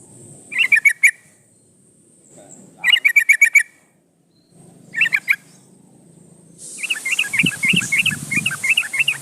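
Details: Energetic yellow-vented bulbul calling a rival, played to coax answers: three short rattling trills separated by pauses, then a lively stretch of bubbly warbled notes over hiss and low rumble.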